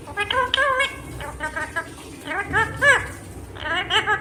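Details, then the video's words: A green rose-ringed parakeet talks in short, nasal, speech-like phrases with rising and falling pitch, delivered in quick bursts over a few seconds in a small room. "Natural Sound of Talking Ringneck green parrot"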